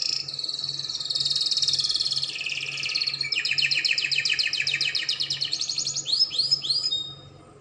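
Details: Spanish Timbrado canary singing, offered as tutor song for young canaries to learn from: a long, dense rolling trill that drops in pitch, then a quicker pulsed trill, closing with several upward-sweeping whistled notes over a faint low hum.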